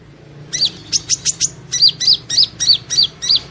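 Van Hasselt's sunbird gives a quick series of high, thin, sharp notes, about three a second, some dropping in pitch, with a low background hum.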